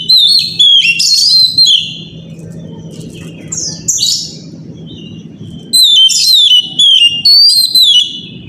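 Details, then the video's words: Oriental magpie-robin in morning song, meant to set other magpie-robins singing: bursts of bright, slurred whistles and a few scratchy notes, then a quieter stretch of low background hum before another run of repeated whistled phrases. "pancingan suara kacer pagi hari"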